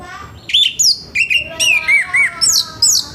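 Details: Loud morning orange-headed thrush, its harsh song used to prompt other orange-headed thrushes to sing. Short looping whistled notes with rasping overtones repeat about three times a second in an even, bouncing rhythm.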